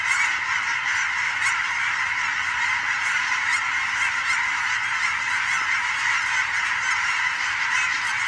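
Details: Huge migrating flocks of geese flying over with sandhill cranes on a fall evening in Oregon: a dense, continuous chorus of overlapping nasal honks blending into a steady clamor.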